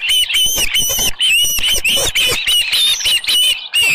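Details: Nest-side calling from an osprey at Dunrovin Ranch on the morning of 24 July 2018, around 6:52, with a headless fish. Steady, piercing whistled yelps repeat several times a second, each slightly rising and falling, continuing through four seconds.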